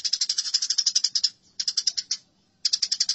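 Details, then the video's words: House sparrows squabbling: three quick bursts of harsh, evenly paced chattering notes, the first the longest, separated by short silences. "Masteran Gereja Tarung"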